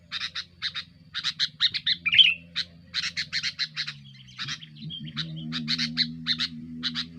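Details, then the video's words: Sooty-headed bulbul in noisy, aggressive song meant to pressure rivals, used as a lure for wild bulbuls: rapid harsh chirps in short bursts, with brief pauses and one squeaky note, over a steady low hum. "suara burung kutilang gacor"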